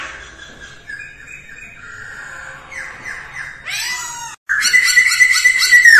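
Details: Masked laughingthrush singing in early-morning voice training: quiet whistled phrases build into falling slurs, a brief gap, then a loud, rich, rough whistled phrase.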